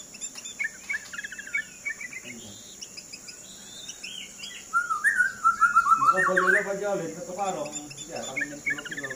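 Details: White-rumped shama, known as murai batu, a fighter bird in action. It delivers chattering notes, then a loud run of rapid warbled whistles, then scratchy trills, with faint voices nearby.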